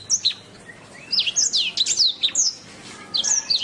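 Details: Master song of a canary for training birds: spaced high chirps give way to clustered descending whistled slurs, then a few separate sweeping notes and a final pair of bright chirps.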